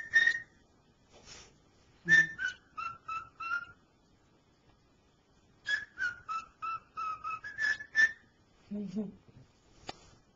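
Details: Male cockatiel kept indoors whistling "Dixie", still imperfect: two runs of rapid whistled notes moving up and down in pitch, with a person's low voice breaking in briefly between and after them.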